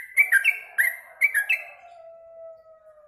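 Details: A caged yellow-vented bulbul, lively after mealworms, sings a short burst of bubbly whistles, followed by a faint, steady, slowly falling tone.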